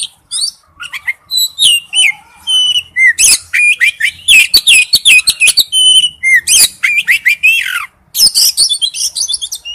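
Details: Male oriental magpie-robin calling to a female: a dense, continuous stream of varied whistles, sharp chirps and slurred notes, loud and rapid throughout with one brief pause.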